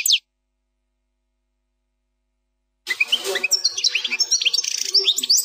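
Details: European goldfinch singing an error-free plak mine phrase: after a quiet gap, nearly three seconds of busy, high twittering with scattered whistled upslurs and buzzy notes.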